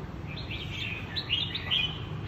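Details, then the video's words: Red-whiskered bulbul, a newly rising fighting bird meeting other birds, gives short warbled chirps in quick bright phrases, with a steady low rumble of background noise throughout. "Mang chiến binh mới nổi đi giao lưu với các bạn thật bất ngờ"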